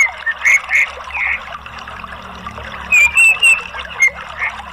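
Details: Orange-headed thrush (anis merah) sound used as a lure/therapy for a reluctant captive bird, giving short, buzzy, chattering phrases with a few thin whistled notes in quick bursts every half second or so.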